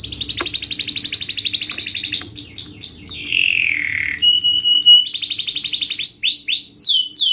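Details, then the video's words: Canary song of sharp rapid trills broken by varied phrases: a rolling high trill, clipped metallic notes, a lower descending warble, then fast repeated swooping whistles. "Kenari gacor Speed RAPAT TAJAM ini ahlinya untuk pancingan kenari Paud belajar bunyi Cepat NgeroL"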